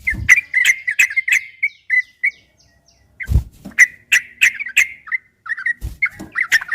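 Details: Yellow-vented bulbul ropel song from a caged-bird training track, bright rapid chirps in bursts with a silent pause near three seconds, punctuated by a few heavy knocking thumps.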